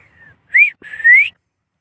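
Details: Pet Indian ringneck parakeet giving two loud whistled notes, the first a short rising-falling slur, the second a longer upward sweep, after a faint lower whistle; indoors, with a voice saying "me too" nearby.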